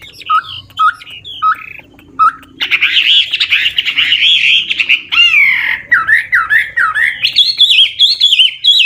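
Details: An old wild-origin Chinese hwamei used as a decoy, singing to prompt newly caught birds: a few short, separate whistles, then a loud, buzzy, rich stretch giving way to swooping, rising and falling warbles.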